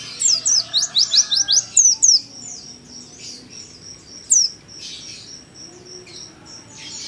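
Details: Juvenile Oriental white-eye singing the 'nembak' style, used as a home training master: a quick run of about ten sharp, high, down-slurred notes, then softer scattered twitters and a lone loud chirp.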